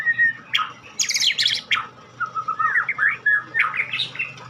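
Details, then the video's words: White-rumped shama of the Medan type, a bird offered at auction, singing a rapid varied song: high buzzy chattering bursts followed by slurred whistled notes rising and falling in quick succession, over a low steady indoor hum. "kicau murai batu Medan super"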